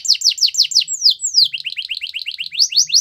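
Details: Belgian canary song used to set other canaries singing: quick series of high downward-slurred whistles, a few longer sweeping notes, then a fast rolling run of short repeated chirps.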